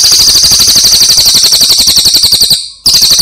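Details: Brown cililin songbird, master recording for bird training, pouring out a dense high trill of quick buzzy pulses, cut by a short gap before resuming at the same pace.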